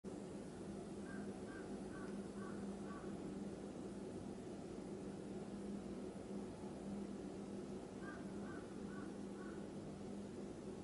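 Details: A crow calling outdoors gives two bursts of four or five hoarse caws, about half a second apart, over a steady rumble of traffic and low hum.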